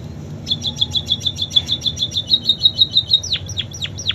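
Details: Munia delivering canary-style phrases: a long even trill of short bright chirps repeated about three times a second, ending in several sharp downward-slurred whistles. A faint low hum runs behind.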